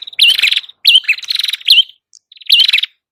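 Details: Prinia, locally prenjak kepala merah, singing vigorously for bird luring: rapid rattling trills punctuated by sharp, hooked whistles in close bursts, with a short gap before the final phrase.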